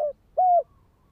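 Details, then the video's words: Spotted dove, calling to lure and train a decoy bird: a brief clipped note then one smooth, steady, hollow coo, with no other sounds. "Chim cu gáy chiêu kích mồi tập bổi nhanh nổi hiệu quả"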